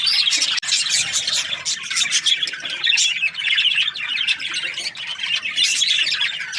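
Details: Chirping budgerigars, an Australian parrot, fill the air with rapid chattering squeaks and warbled trills that overlap without a break, with a short dip in the middle.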